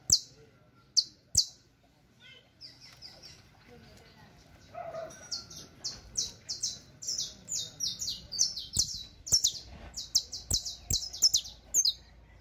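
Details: Saffron Finch song, said to be for teaching: a few loud separate notes, then a rapid run of short high descending whistled notes, repeated several times a second, with faint background noise and clicks.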